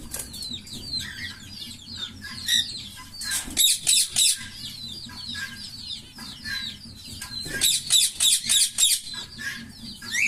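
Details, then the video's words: Pair of green Fischer's lovebirds, known for long-duration songs, chattering: continuous thin downslurred chirps broken by two loud bursts of rapid harsh squawks, each about five notes. "Lovebird Singing & Chirping Sounds - Green Fischer Pair"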